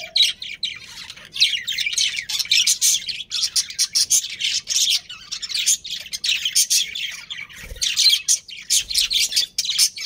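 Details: Colony of budgerigars, Australian parrots, centred on a breeding pair: continuous high, rapid twittering and chirping, many quick scratchy notes run together in a dense bright stream throughout.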